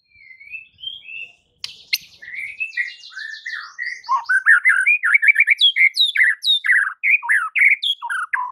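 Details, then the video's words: White-rumped shama song used to provoke rival birds: soft whistles, a sharp snap, then a long rich varied phrase of rapid slurred whistles, chatters and sweeping notes, loud and continuous. "PANCINGAN Murai Batu yang bikin lawan Langsung NGAMUK & EMOSI TINGGI seketika"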